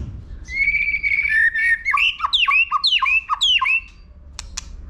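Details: White-rumped shama provoked into competition singing: a long, smooth whistled note, then a rapid string of repeated, falling-and-rising chopped notes, ending with two sharp clicks.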